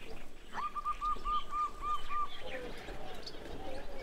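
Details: Zebra dove delivering one quick sequence of about eight short, smooth coo notes, all at one mid pitch, against a hissing, muffled background.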